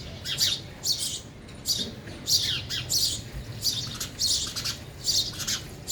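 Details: Sparrows at a feeder, eating, utter quick high chirps, some doubled, spaced irregularly across a few seconds in a quiet indoor-sounding space.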